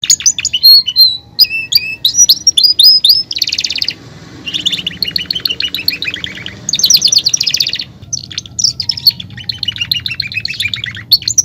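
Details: Belgian canary song in a cage setting: bright high trills, rapid buzzy rolls and clear whistled notes alternating in bursts, with brief pauses between phrases.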